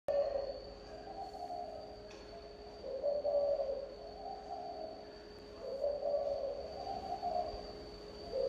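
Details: Spotted dove singing in the thổ âm song style: low, mellow coos in drawn-out phrases, three coo groups spaced about two to three seconds apart, over a steady high electronic whine and a faint low hum.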